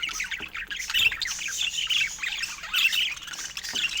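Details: Pet budgerigars keep up an irregular warbling chatter of squeaky chirps and buzzy notes, several birds calling at once.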